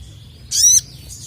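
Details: Sogon (crested jay) in an agitated mood, summoning rivals with a single loud, rasping burst of stacked, rising notes lasting a quarter second. A thin whistled tone comes before it, and a faint high trill after.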